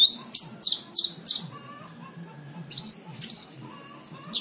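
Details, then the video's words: Lark song used to tutor caged birds in Indonesia: a quick series of loud, high, slurred whistles roughly three per second, a pause with a thin lower tone, then more drawn-out whistled notes. "MASTERAN BRANJANGAN SATU JAM FULL"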